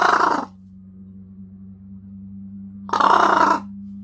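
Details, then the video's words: A talking pet large-billed crow gives two harsh, throaty, speech-like bursts about two and a half seconds apart, apparently saying "asobō" (let's play) while playing at hiding a coaster, over a low electrical hum. "遊ぼうおはよう 隠して遊ぶカラス"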